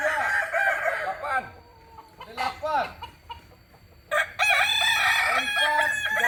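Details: Crowing from Kokok Balenggek birds, a Solok breed in West Sumatra: an opening run of notes, scattered short arched calls during a quieter stretch, then a loud renewed chorus of crows.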